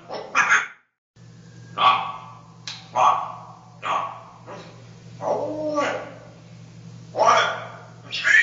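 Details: A Dutch-bred parrot hatched in 2010, described as very loud, gives harsh, bark-like squawks, roughly one a second, some with a rising hoarse edge, over a steady low electrical hum indoors.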